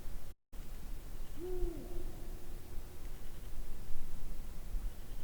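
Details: Ural owl, one of the species' three main vocalizations, a single deep, low hoot with a faint higher overtone, lasting under a second, over steady low background hiss.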